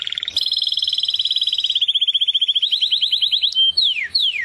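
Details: White mutation European goldfinch singing; loud, pure, rapidly pulsed trills that hold steady, then step lower, then end in quick whistled notes sweeping steeply downward, against a quiet background.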